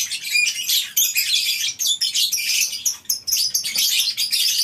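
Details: Many lovebirds chattering in a colony aviary at a breeding farm in the morning: shrill overlapping squeaks and chips in uneven bursts, with occasional clearer single notes.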